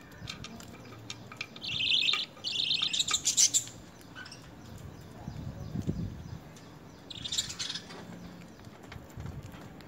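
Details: Lovebird begging while being hand fed spinach and coriander during early hand-feeding training: two bursts of harsh, rapidly pulsed chattering, then quiet rustling and a shorter raspy burst near the end.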